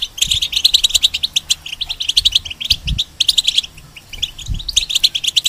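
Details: European goldfinch kept in a cage, its song played to teach young hybrids: rapid liquid twitters and bright chips in bursts of about a second, short lulls between them, with soft low thuds underneath.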